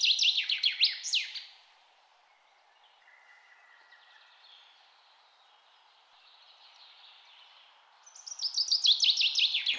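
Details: Red-necked tanager (Tangara cyanocephala) call: bursts of rapid, high, sharp descending chips, a quick series at the start and again near the end, with quiet pauses between.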